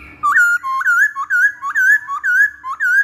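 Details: Masked laughingthrush lure song used to train birds: a steady, even series of loud whistled notes, each swooping up and then easing down, about eight in three seconds.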